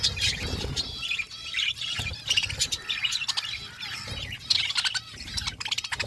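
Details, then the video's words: Several pet budgies feeding, giving a steady stream of high, twittering chirps and short squawks, busy and overlapping throughout. "Budgies eating food birds chirping sounds"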